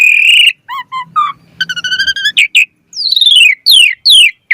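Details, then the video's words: Asian pied starling in energetic 'gacor mompa' song for luring other birds: a long whistled note, then short doubled chirps, a quick stuttering series, and finally several clear downward-sliding whistles. "Jalak Suren Gacor Mompa Variasi Suara Burung Kicau Cepat NYAUT Gacor Full Isian Mewah"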